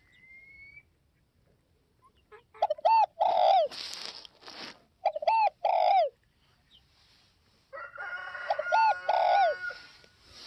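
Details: Northwest (Tây Bắc) spotted dove cooing three times. Each phrase has short stuttered hoots ending in a drawn, falling croo, with a burst of broadband rustling between the first two and a faint thin whistle at the start.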